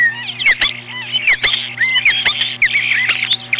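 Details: Ospreys defending the nest against an intruder in April 2015: loud, piercing whistled cheeps that drop steeply in pitch, given in quick bursts about every half second to second, with a constant low hum underneath.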